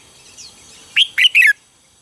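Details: Red-whiskered bulbul morning song used as a training recording: a short phrase of three lively, liquid whistled notes, the last sliding downward, after a faint soft note and near-silence.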